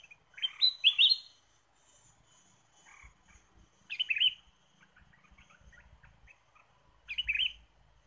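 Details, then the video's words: Lure recording of a Ruby-throated bulbul: a lively burst of bubbling, rising whistled notes, then scattered soft chips, with two more loud warbled phrases about three seconds apart. Faint low rumbling sits underneath. "PIKAT KUTILANG EMAS GACOR"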